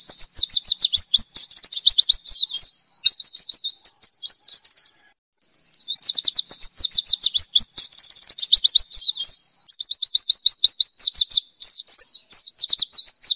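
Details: Oriental white-eye (pleci) sings a long, fast, high twittering warble of bright trilled notes, pausing briefly once midway, used as a training recording for songbirds. No other sounds stand out.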